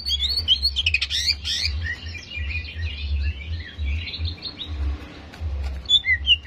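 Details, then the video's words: Greater green leafbird song from a recording used to quickly provoke aggression in other leafbirds; dense, overlapping whistled and chattering phrases, strongest in the first two seconds, over a steady low hum. "PANCINGAN CEPAT MENAIKAN EMOSI CUCAK IJO"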